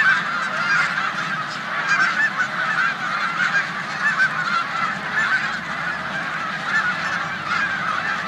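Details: Snow geese on a spring stopover in a corn field, Savannah, New York, 14 March 2020, with resident Canada geese; steady massed honking, many birds calling at once in a shrill, nasal din.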